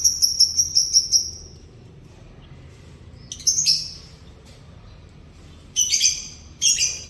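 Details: Morning song of a yellow canary: a run of about eight quick, clear, high whistled notes, then a pause, then harsh, buzzy bursts of rolling trills.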